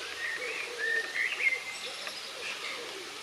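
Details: Common blackbird singing and calling in a tree in Pittencrieff Park, Dunfermline, Scotland; a short run of clear, fluty whistled notes that rise and fall over low, repeated cooing from another bird and a steady background hiss.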